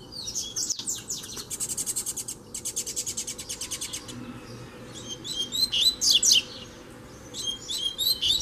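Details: Double-collared seedeater singing as a free bird challenges a caged one during fighting-spirit training. It opens with a fast, even buzzy rattle of repeated notes, then shifts to sharp whistled slurs and chips in two bursts.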